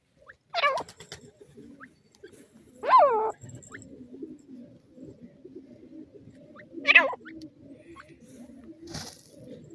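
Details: Francolin (teetar) chicks playing in grass, pecking and fluttering: three loud, sharply swept peeps spaced a few seconds apart, with quiet low rustling and murmuring between them.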